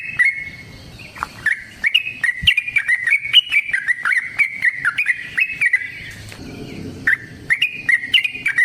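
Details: Trucukan, yellow-vented bulbul, in full 'gacor' form as a lure for other birds: after a short quiet opening comes a continuous chain of fast, slurred, bubbly notes, a pause near six seconds, then more notes, with sharp clicks.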